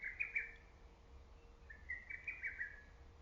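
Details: Distant lesser cuckoo among early-summer trees: two faint, quick phrases of whistled staccato notes over a steady background hiss and a low continuous hum.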